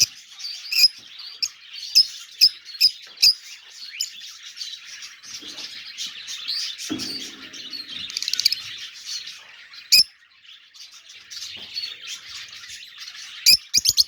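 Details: Pet budgerigars chatter in a busy stream of high, scratchy chirps and warbles.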